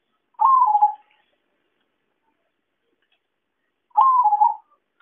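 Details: Lure call of a zebra dove (perkutut) for trapping: two short trilled coos, each a fast burr that falls slightly, spaced about three and a half seconds apart with silence between.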